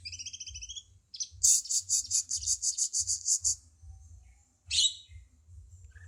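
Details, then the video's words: A cucak cungkok bulbul sings for a tutor recording: paired high whistles, then a long, regular series of about a dozen loud buzzy pulses, a pause, and one sharp harsh note, with a low hum throughout. "Cungko masteran burung kicau"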